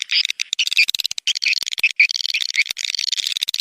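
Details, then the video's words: Swiftlet lure calls meant to draw the birds into a swiftlet house; quick, high, chattering chirps with small rising whistled notes scattered among rapid clicks. "suara panggil burung walet"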